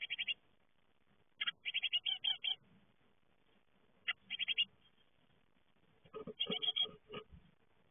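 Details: Great tit young leaving the nest call in rapid runs of high, clipped chirps, several bursts in succession, with some knocking and rustling mixed in toward the end.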